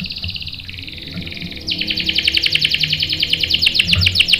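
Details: Canary singing to provoke rival canaries into answering with sharp rolls: a thin high buzz, a pause, then a loud fast trill of repeated notes over faint background hum.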